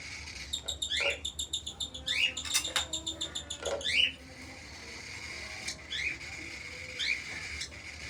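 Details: A hand-tame cockatiel chick at a Karachi bird market begs at feeding time with rapid, raspy, upslurred chirps repeated in quick bursts.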